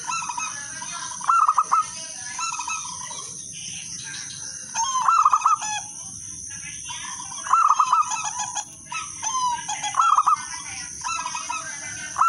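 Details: Local zebra dove singing as a lure for other doves: repeated phrases of quick mellow coos every two to three seconds, mixed with chattering and twittering from other birds and a steady high background whine.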